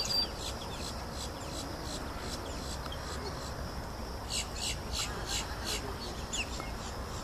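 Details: Four mottled duck ducklings at Green Cay on the morning of 24 April 2013 give thin, high peeps in quick, uneven bursts, about two a second, over a steady low rumble.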